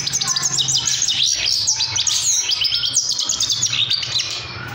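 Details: Trained baby Himalayan goldfinch in full song: a fast, continuous run of high tinkling, twittering and buzzy notes with quick up-and-down slurs, almost unbroken, over a faint low hum.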